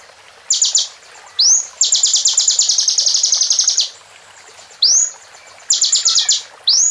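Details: Rapid, high, rattling trills of sharp repeated ticks, one running about two seconds. They alternate with short upslurred whistles and shorter trill bursts, all loud against a quiet background.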